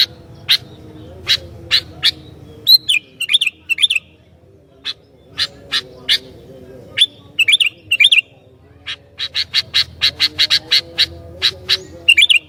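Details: Energetic sooty-headed bulbul, noted for provoking other bulbuls, gives scattered sharp chirps that quicken into dense runs, with several short falling whistled phrases among them over a quiet hum.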